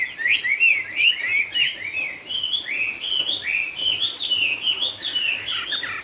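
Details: Chinese hwamei, 'cao cầu' singing style, giving a steady stream of rich whistled notes, rising and falling slurs repeated in fast succession at fairly even loudness.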